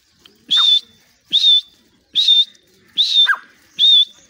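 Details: Grey francolin in a cage in Pakistan, calling at the door. Piercing, level whistled notes repeat steadily a little faster than once a second, five in all, some with a brief falling tail.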